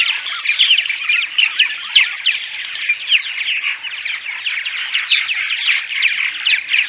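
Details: Daytime chatter of a purple martin group, used to attract martins to nesting housing in migration season: busy overlapping creaky warbles and chirps, steady and unbroken throughout.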